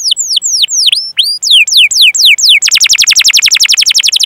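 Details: Canary song played to teach and provoke other canaries: spaced whistled notes curving downward, a run of sharp descending slurs, then a long, fast, even trill.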